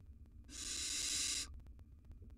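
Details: Three wild baby Barn Owls in a nest box; one loud, broad, breathy hiss lasting about a second, then quiet ticking sounds.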